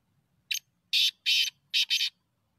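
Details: A black francolin gives its grating call, used for hunting: a brief opening note followed by two strong, harsh, broadband doublets, five rasping syllables in quick succession.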